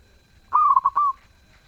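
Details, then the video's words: Zebra dove singing a single soft, mellow cooing phrase of about four quick stuttered notes that run into a smooth drawn-out ending, clear against a quiet background. "Perkutut gacor suara merdu"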